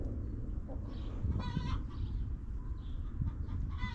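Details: Backyard chickens relaxing in their coop. A clear, nasal hen call rises midway and a second starts at the end, with quiet clucking and a low background drone.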